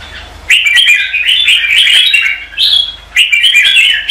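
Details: Bulbul, red-whiskered, singing competitively in the morning to stimulate other birds: continuous bubbling warble with a brief dip, then resuming strongly.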